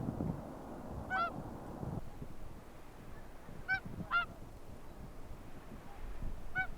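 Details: Whooper Swans calling at Akureyri, 5 April 2020: four clear brassy honks, a pair in the middle close together, after a brief low rumbling noise at the start, against faint steady background.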